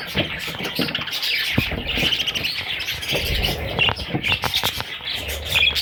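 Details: Little parrot chicks producing dense, harsh, high-pitched squawking chatter, with a few brighter squeaks near the end and some handling noise.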